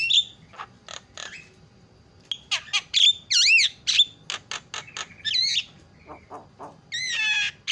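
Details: Javan myna lure meant to provoke other birds into calling: scattered clicks and chatters, then looping squawky whistles and harsh buzzy notes in an uneven run.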